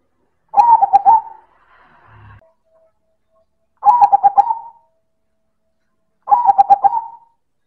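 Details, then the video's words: Silver zebra dove (perkutut) singing loud and fine: three cooing phrases of rapid pulsed notes with a lingering end, separated by quiet gaps holding faint soft noises. "Suara Perkutut Silver - Manggung Keras dan Istimewa"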